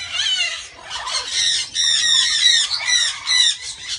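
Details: Guinea turaco, incubating, giving harsh, grating squawks in quick, uneven bursts, about two to three per second, high and raspy throughout; nothing else stands out.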